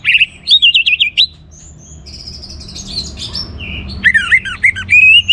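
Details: Vigorous orange-headed thrush song meant to spur other birds into singing: loud, fast warbled whistled phrases at the start and end, separated by quieter, thinner high notes.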